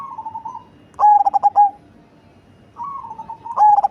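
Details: A big-voiced cemani zebra dove delivers a clipped run of low cooing notes ending in a held tone, with a softer rolling coo before and after it and a second phrase starting at the end.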